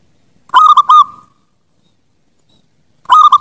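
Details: Zebra dove master song for training birds: a loud, quick, rolling coo phrase of several bubbling notes, then a pause of about two seconds before the next phrase begins.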